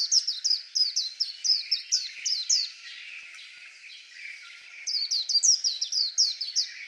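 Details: Singing white-eye: a long string of rapid, high, falling chirps for over two seconds, a quieter gap, then another lively run of bright down-slurred notes.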